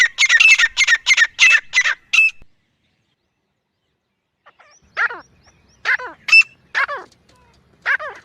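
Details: Grey francolin in jungle giving a fast burst of harsh repeated notes, then silence, followed by spaced, drooping grating calls.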